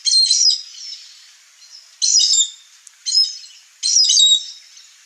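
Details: A wild Chestnut-eared Aracari (Pteroglossus castanotis) visiting a backyard in Brazil's Cerrado gives four harsh, high, squeaky bursts, each about half a second long and spaced roughly a second apart, with no other clear sounds.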